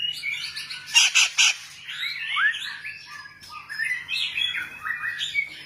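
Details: White-rumped shama song with three loud rasping bursts near the start, followed by swooping whistled phrases and quick warbled notes in a varied, continuous flow. A faint low hum is heard.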